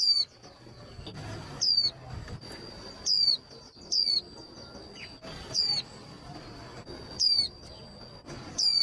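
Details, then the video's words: Calls of a female white-eye, meant to provoke males into rapid trilling for contests. Seven short, shrill, downward-sliding chirps repeat at uneven intervals of about one to two seconds over a continuous thin high tone and faint twittering. "Tiếng khuyên mái kích trống nhanh líu"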